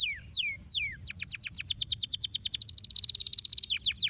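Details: A canary sings to stimulate caged companions: two or three falling whistled slides, then a quick rattling series of high repeated notes that speeds into a rich, buzzy trill.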